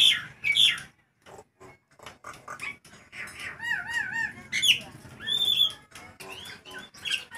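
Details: Nias hill myna singing in hot weather as a lively lure: clipped squawks and chips, then a run of wavering, looping whistles and high ringing tones, with short pauses between phrases.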